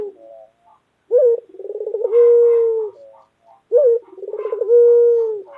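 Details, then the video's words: Loud white local Barbary dove with two full coo phrases about three seconds apart, each a sharp note, a rapid throbbing roll and a long sustained low hoot. "Puter Lokal Gacor Suara Keras | Pesona Suara Kicau Burung Puter Putih Gacor Dor Yang Menawan"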